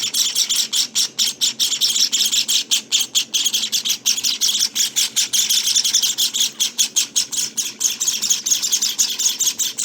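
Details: Nineteen-day-old Java finch chicks keep up about ten seconds of shrill, scratchy chirping, bursts crowding together irregularly at roughly two to three per second, sometimes overlapping.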